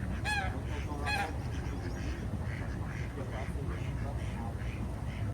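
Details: Ducks swimming at Jardin aux Canards, Monaco, in the morning: two loud, bent honks open the sequence, followed by softer, distant calls amid a steady low water and ambient rumble.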